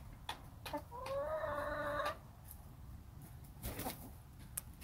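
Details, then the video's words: Backyard hens in their pen, making soothing sounds while their owner sits with them: a drawn-out nasal hen call lasting about a second, with soft scattered clucks and rustling around it. "The rest of this video is for you to enjoy with only the sounds of the chickens and an occasional comment and chuckle from me."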